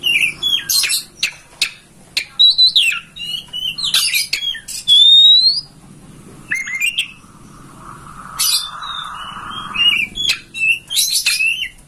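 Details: Oriental magpie-robin master song, used to stir a home-kept bird to spread its tail and sing. Sharp whistles and scratchy notes come in quick clusters, with a steady droning tone partway through.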